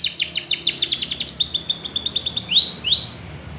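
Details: Training song of a yellow Spanish Timbrado canary: a quick string of falling notes that speeds into a rattling roll, then two loud drawn-out rising whistles, over faint low background hum.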